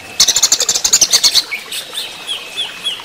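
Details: Greater green leafbird during running-water therapy, delivering a quick, loud run of rapid metallic notes for over a second, followed by scattered thin upslurred whistles.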